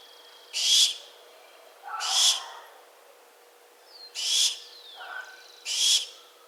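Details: Barn owl giving harsh, hissing screeches, four broad noisy bursts each lasting about half a second, spaced irregularly over several seconds, with faint thin whistles from other birds between them.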